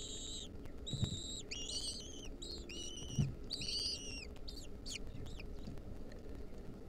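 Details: Nestling lesser kestrels, wild, beg as their mother feeds them a mouse in 2023: a rapid jumble of high, buzzy, overlapping whines and squeals from several chicks, fading into thinner notes, with occasional low thumps.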